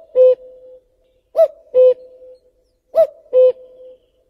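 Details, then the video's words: Common cuckoo song: a lone low note, then two full cuck-oo phrases, each a higher short hoot dropping to a lower, slightly longer one, repeated about every one and a half seconds in an otherwise quiet setting. "Canto del Cuculo - Richiamo"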